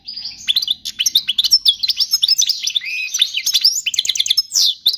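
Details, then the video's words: European goldfinch singing to teach chicks, an unbroken stream of bright, high, rapidly changing twitters and tinkling notes with short buzzy elements, lively and dense throughout. "تغريد الحسون الملكي خالي من الاخطاء لتعليم الفراخ"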